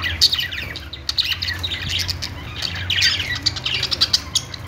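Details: Budgie warbling in quick bursts of bright, high chirps and tweets. The bursts swell and fade in clusters about every second, over a faint low hum.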